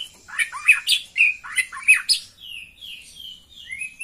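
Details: Calls of a female white-rumped shama, used to raise a male's mating urge: a run of sharp, varied chirps and slurred whistles, then softer drawn-out whistled notes, with no background noise.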